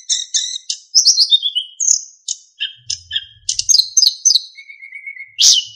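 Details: Narcissus flycatcher (sikatan emas) song recorded for training other songbirds: a dense, varied run of high chirps and descending slurs, a long even whistled trill near the end and a final sharp burst.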